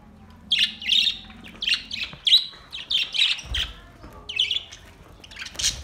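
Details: Budgies in relaxed song, a steady string of bright warbled chirps repeated about twice a second, buzzy and high, with a low hum fading early on.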